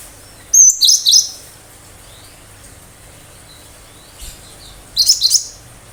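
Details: Cinereous tit sharp-shot song: two bursts of four or five piercing high notes about four seconds apart, with a faint note between them and otherwise near silence.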